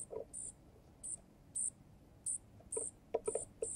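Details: Juvenile junco calling for food while a male junco feeds it at a balcony feeder: drawn-out, very high, thin squeals spaced roughly every half second, with faint taps from feeding.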